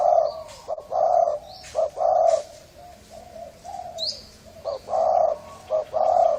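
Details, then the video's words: Hoarse-voiced Thai-strain spotted dove giving an excitement coo for males, females and wild birds: deep, throaty coo notes delivered in steady groups about once a second, with brief pauses between phrases and faint background chirping. "Tiếng chim cu gáy thái giọng khàn gáy gù kích trống mái kích bổi nhanh nổi"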